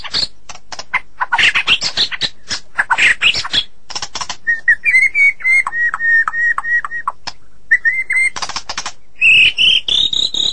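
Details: White-rumped shama song with clattering click bursts, then a run of repeated even whistled notes, and finally a rising, sweeping high whistle.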